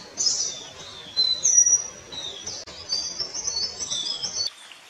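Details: High, thin squeaky whistles and slurred chattering notes from Palani laughingthrush, a Kerala laughingthrush subspecies, in two or three close bursts before the sound cuts off abruptly near the end.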